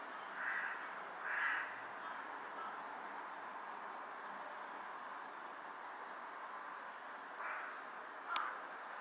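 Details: Carrion crow on a power line, bowing while calling: two rasping caws about a second apart, a long pause, then two more, over constant hiss-like background noise.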